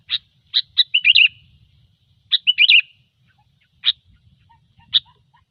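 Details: Sooty-headed bulbul in gecor song used for luring: chips leading into a warbled rolling phrase, repeated once, then lone chirps spaced about a second apart, with a faint low hum.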